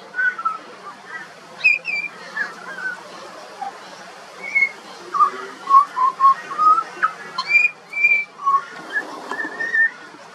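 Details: Pied butcherbird juvenile in song, Australia: a rambling series of short fluting whistles at varied pitches, some slurred upward, roughly two per second, with quieter warbled notes between.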